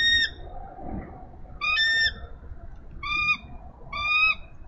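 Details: Bald eagle female on her Minnesota nest, nest cam, 3 May 2013, calling her mate to take nest duty. Four separate high, thin, squealing notes ring out at roughly one-and-a-half-second intervals over quiet hiss.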